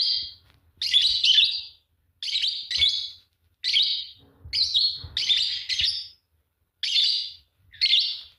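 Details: Chirping pair of green Fischer's lovebirds: loud, shrill, high-pitched chirp bursts repeated roughly every second, each a harsh clustered squeak, with brief silences between calls.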